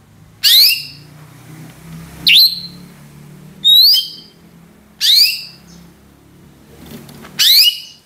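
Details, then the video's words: Female greater green leafbird giving its ngentrok call: short sharp downward-sweeping notes, five in all, spaced one to two seconds apart, over quiet low room noise. "BURUNG CUCAK HIJAU BETINA NGENTROK"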